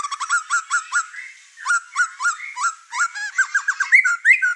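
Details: White-rumped shama, over-emotional and unloading its song material, agitating birds in the same house: rapid runs of short chirping notes repeated in quick series, ending in rising whistles.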